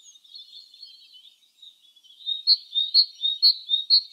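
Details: Spring song of a wild great tit (Parus major). Low, soft chatter gives way to loud, ringing two-note phrases repeated about every half second.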